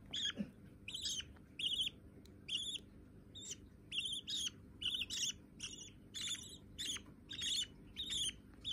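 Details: Tame white budgerigar chicks indoors: after a brief low knock, a string of scratchy chirps follows, often in quick pairs, about every half second to a second, against faint background hum.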